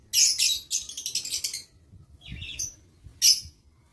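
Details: Lovebirds kept in an aviary, 22 August 2023: a rapid burst of piercing high chirps and chattering, followed after a pause by a couple of separate sharp single calls.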